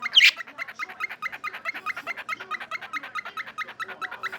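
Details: An 18-month-old male pet cockatiel in Victoria, British Columbia, Canada, gives a fast, steady series of short, rising chirps, about six every second, making playful weird noises on December 1, 2022.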